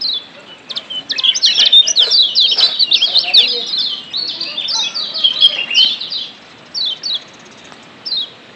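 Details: Lombok yellow white-eye recorded in the wild, played as a stimulating lure: a loud, crowded burst of rapid high chirps and slurred notes, easing to a few spaced descending chirps near the end.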